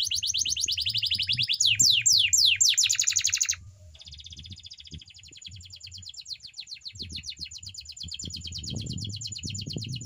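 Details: Canary training song with loud rapid trills and falling sweeps, then a softer, buzzy steady trill continuing, over a low rumbling background hum.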